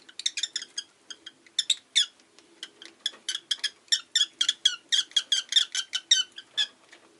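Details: Rosy-faced lovebird chirping continuously: rapid, sharp, squeaky notes repeated several times per second in rhythmic bursts, over a faint low hum.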